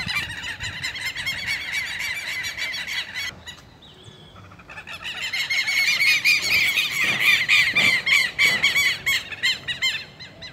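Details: Southern lapwings (quero-quero) in two noisy flocks seeming to face off. A loud chorus of strident, rapidly repeated calls fades to near quiet for about a second. It then surges back with shrill overlapping cries and a few ringing rising notes, easing toward the end.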